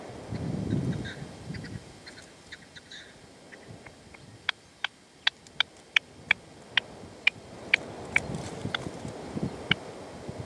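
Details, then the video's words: Partridge decoy (reclamo) calling at sunset in the sierra near Manzanares, 27 February 2014, while a male stays away; a run of sharp, clipped notes about every half second, over low rustling and wind. "PERDIZ Y RECLAMO"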